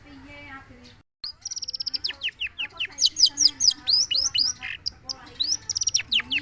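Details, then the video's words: Long-tailed shrike singing a lively, varied song: a quick run of short, high, clipped notes, then loud, sharply down-slurred whistles delivered rapidly with shifting pitch, over a steady low hum. "Burung cendet"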